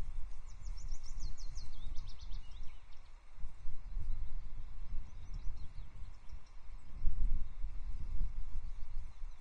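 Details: Osprey pair at their nest at Loch Arkaig on 4 May 2024, the female returning with a stick and landing on the male; a rapid series of high, thin chirping notes in the first two seconds, over steady low wind rumble.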